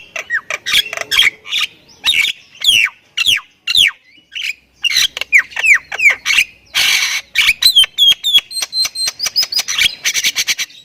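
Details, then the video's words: Highly vocal Thai Javan myna delivering a long, full song. Repeated curved whistles and chatter lead into a harsh buzzy burst, then a rapid run of thin, high, even clicks and whistles. "OCEHAN BURUNG JALAK INI || Jalak Kebo Thailand Gacor Full Isian"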